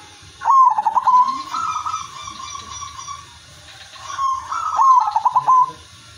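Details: Zebra dove of the silver line, a caged bird kept to prompt other doves into song; a rhythmic cooing phrase of stuttering pulses then a long steady tone, heard twice, with faint low background hum.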